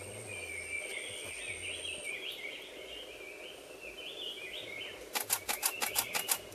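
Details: Black-naped monarch (Hypothymis azurea) giving a run of thin, warbled chattering notes for about five seconds, then a quick burst of sharp camera-shutter clicks.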